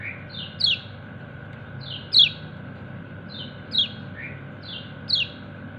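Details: A kecial kuning, or white-eye, calls to its companions with repeated 'ciak ciak' chirps, bright high notes sliding downward, each led by a softer note, about every one and a half seconds, with a steady low hum behind.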